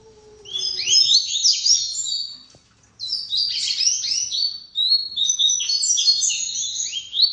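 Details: A coleiro, or papa-capim seedeater, in full song: continuous high twittering and trilled phrases with a brief gap, preceded by a faint low steady tone.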